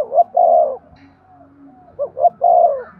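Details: Spotted dove giving two mellow cooing phrases, used to stimulate male doves to coo; each phrase has a short note or two and then a long, smooth, slightly descending coo.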